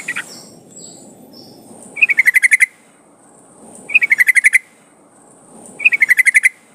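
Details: Yellow-vented bulbul lure song used to make trucukan sing: three identical phrases about two seconds apart, each a rising note followed by a rapid run of about seven descending chips.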